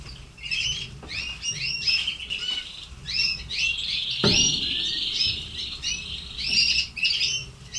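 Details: Red canaries kept by an owner sing a bright, continuous warbling song of rapid trills and twittering phrases, with a sharp thump partway through and faint low background noise.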